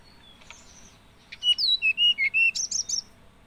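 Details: Hill blue flycatcher singing a short phrase of pure whistled notes that drop from high to middle pitch, closing with a rapid run of thin high notes; faint soft notes precede it.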